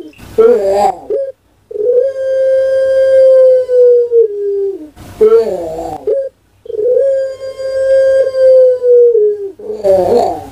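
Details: Contest-winning puter pelung dove kept in Java, Indonesia, giving its characteristic 'kuk gerukkk kwokkk' song: bubbling rolled notes followed by prolonged level hums, cycling about every five seconds.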